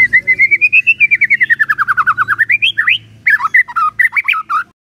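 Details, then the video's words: White-rumped shama song for morning use to get a quiet shama singing: long rapid series of whistled notes rising then falling in pitch, followed by varied slurred whistles, over a low background hum. "Pancingan PAGI-PAGI AGAR MURAI GACOR❗sekali coba murai DIAM langsung bunyi"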